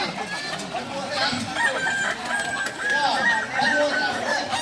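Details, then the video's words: Crowing practice by Kukuak Balenggek chickens, the singing breed native to Solok; overlapping long crows with bright, stepped syllables run almost without pause over a busy background of murmuring voices. "Latihan prestasi Ayam kukuak balenggek ayam penyanyi asli Solok"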